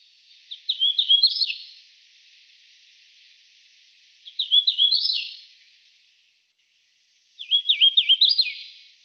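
A Hooded Warbler sings three bright, slurred whistled phrases, each ending in an emphatic rising flourish.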